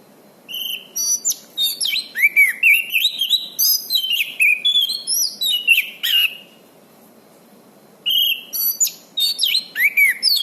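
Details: Orange-banded thrush in energetic song, kept as a training master for birds that have stopped singing. A long string of rapid varied notes, slurred downward whistles and chattering bursts, with a two-second pause before the song resumes.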